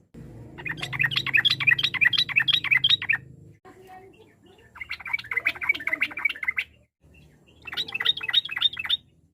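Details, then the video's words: Vocal sooty-headed bulbul giving rapid ropel-style bursts meant to provoke competing birds. Three bouts of fast, scratchy, repeated notes are separated by short pauses, over a steady low rumble. "trucuk gacor ampuh memancing lawan nyaut emosi, trucuk ropel, trucuk nggaruda, suara ber fariasi"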